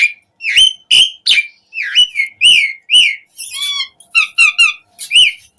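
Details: Asian pied starling in lively, full song, used as a lure to prompt captive starlings to sing: a quick run of loud, clear whistled notes, some rising and some falling, with harsher chattering phrases in the middle and no background noise.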